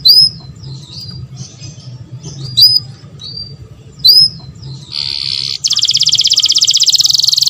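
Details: Canary mating song meant to encourage breeding: scattered sharp high chirps and quick whistled upslurs with short pauses, then a dense buzzy trill, switching to a very fast even rolling trill that continues to the end, over a faint low hum.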